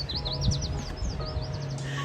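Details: Yellow Warbler in a wetland bush in Hayden Meadows, Colorado, on a morning walk, gives high, quick series of sweet down-slurred notes twice in two seconds, over a low rumble with soft music and a faint whistle.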